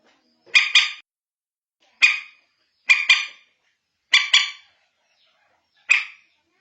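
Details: Common moorhen (bantiung) lure call for night searching (manyapung): five loud, harsh barking bursts about a second apart, several of them doubled into a quick two-note stutter, in a clean background.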